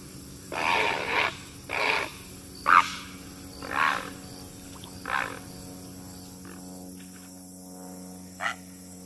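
Great blue heron giving harsh, hoarse croaking squawks, about six in nine seconds at uneven intervals, over a low steady hum.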